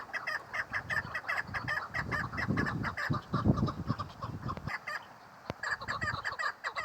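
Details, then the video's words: Female chukar partridge calling with rhythmic, repeated clucking notes over heavy low rumbling and handling noise, which fades near the end before the calls continue. "Female chakor sound keklik sesi"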